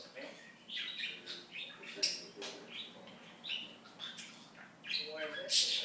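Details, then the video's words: Budgerigar kept as a pet chattering continuously, with busy scratchy warbles and ticking syllables, a louder harsh note closing the passage. "The Talking Budgie"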